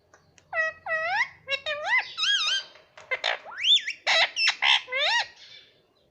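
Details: Pet parrot mimicking speech ("mitthu", "mummy"): a rapid run of loud nasal, bending syllables, some rising, some swooping, mixed with short squeaky clicks, continuous for about five seconds in a small room.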